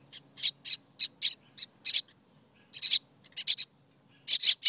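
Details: Baby birds inside their birdhouse, upset at being filmed, give harsh raspy hissing calls in short bursts with brief pauses between groups.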